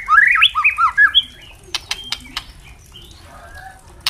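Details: White-rumped shama song for tutoring captive birds, opening with loud looping whistled phrases, followed by a few sharp clicks and faint distant whistles over low background hum.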